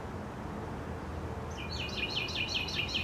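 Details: Small birds chirping in the morning, a burst of quick high twittering notes starting halfway through, repeated rapidly over steady low environmental rumble.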